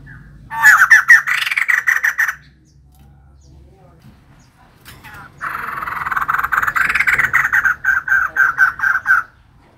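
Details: Female white-crested laughingthrush singing actively: two loud bursts of rapid, harsh chattering notes, the first short, the second longer with evenly repeated pulses, separated by a quiet pause.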